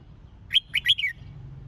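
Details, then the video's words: Red-whiskered bulbul song for competition practice: one short, rich phrase of four bubbling whistled notes, the last slurring down, delivered crisply over faint low background noise. "Tiếng Chào Mào Dìu Bổi Lên Lửa !..Luyện Chào Mào Hót Đấu"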